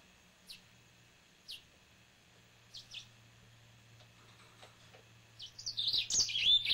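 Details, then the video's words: Spaced, faint high chips from a pet male yellow-fronted canary over a low steady hum, building near the end into a short burst of loud, rapid warbling. "Finch Green Singer Song (Serinus mozambicus )"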